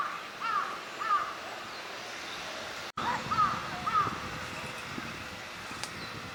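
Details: Wintering Northern shoveler at a park pond in Chiba, Japan, February 2026: two pairs of short nasal, down-curving calls, each pair half a second apart, with a gap between pairs, over faint outdoor noise.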